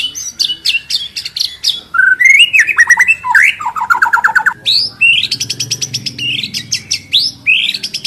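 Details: White-rumped shama pouring out lure song used to train a bird to sing fill-in phrases: rapid varied whistles, sliding notes and fast ticking trills that shift pitch every second or so, loud and close.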